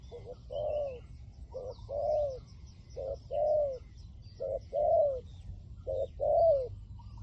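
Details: Spotted dove acting as a decoy for wild doves gives steady two-part coos, a short clipped note then a longer falling one, roughly every 1.4 seconds, with faint high chirps from other birds.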